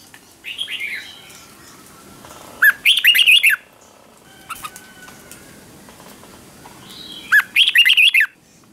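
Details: Red-whiskered bulbul during morning song training in the ché style: two loud bursts of quick, chattering warbled notes about five seconds apart, with softer whistled phrases and a faint steady hum in between.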